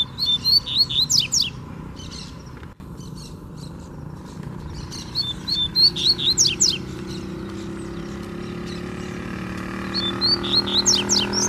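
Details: Free-flying (wild) double-collared seedeater (coleiro) sings three quick bursts of high, twittering, sweeping notes, each under two seconds, over a steady low rumble.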